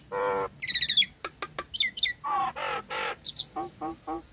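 Nias hill myna in a loud, varied burst: nasal harmonic squawks, sharp clicks and high whistled slurs, about a dozen notes in four seconds.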